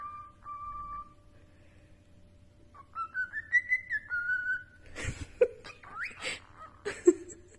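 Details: Pet cockatiel whistling a melodic song: a steady held note, a pause, then a rising run of clear whistled notes that steps down and falls away. It ends in scratchy, noisy bursts and brief whistles over low indoor hum.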